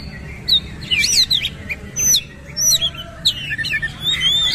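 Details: Oriental magpie-robin (kacer) singing vigorously with coarse 'isian' phrases while spreading its tail: sharp whistled slurs and buzzy high chirps in bursts, with quiet gaps and faint low background hum.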